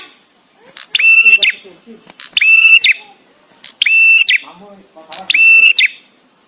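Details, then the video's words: Male bar-winged prinia giving its visiting-male song with pauses for tutoring songbirds: four loud, sustained flat whistles with sharp onsets, about every 1.4 seconds, soft murmuring and chatter underneath. "suara prenjak tamu JANTAN!!! dengan jeda cocok untuk masteran"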